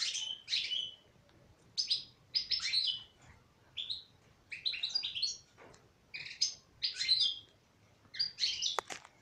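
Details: European goldfinch hen in an aviary setting with a lively series of sharp twittering chirps and liquid trills, delivered in short clusters with pauses, ending with a faint click.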